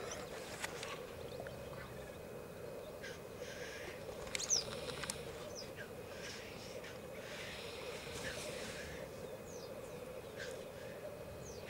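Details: Lek of black grouse at Elverum, 2008, where 38 males gathered: continuous low bubbling cooing from many birds, broken by repeated breathy hissing rushes and a few thin high chirps.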